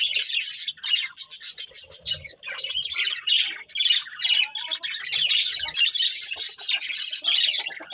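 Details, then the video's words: Harsh squawky chattering from a breeding pair of budgerigars, dense high notes with a few thin rising whistles woven through. "Cute Budgies Chirping Sounds | Beautiful Budgies Breeding Pair"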